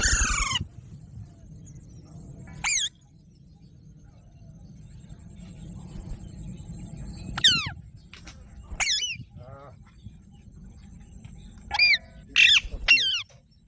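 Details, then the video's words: Alexandrine parakeet giving loud, raspy screeches that sweep downward, spaced irregularly: one at the start, then isolated calls and a cluster of three near the end, over a steady low hum. "Alexandra Parrot Natural Sounds"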